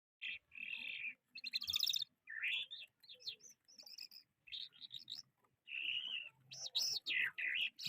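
A lark sings a rich, varied stream of high warbles, buzzy trills and rising whistled notes, delivered in quick bursts with short pauses.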